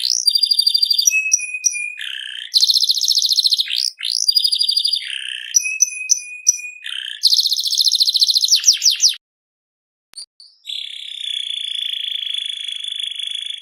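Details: Canary singing vigorously: rapid buzzy trills and rolled notes alternate with clear level whistles and rising slurs, a brief pause near nine seconds, then long sustained whistled tones.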